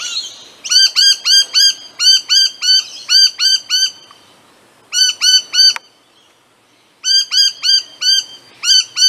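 Noisy Miner giving rapid runs of loud, harsh, ringing notes, several per second in bursts of four to eight, with short pauses between runs.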